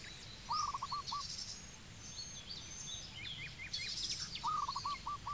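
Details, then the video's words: Zebra dove in Cambodia calling twice, each a quick burst of clipped, upward-hooked coos, one near the start and one near the end, over busy high-pitched chirps and whistles from other birds. "Zebra Dove Bird call"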